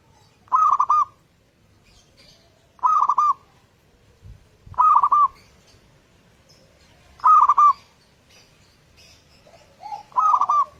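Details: Local zebra dove singing a clear lure song used in the morning to set other doves off: five bursts of rolling, bubbling coos, each about half a second long, repeated roughly every two seconds over faint background rustle.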